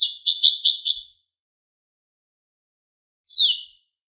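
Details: Japanese wagtail singing: a bright one-second phrase of quick high chirping notes, a long silence, then a single short downslurred note.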